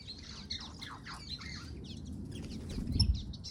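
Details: Water rails calling during courtship display in a EurAfrican aviary: a run of harsh, descending squealing strokes in the first second and a half, over a steady background of many small birds' high chirps and twitters.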